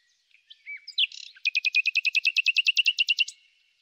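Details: In spring, a common nightingale gives a few soft introductory notes and a brief buzz, then a long, steady series of about eighteen loud, evenly repeated notes.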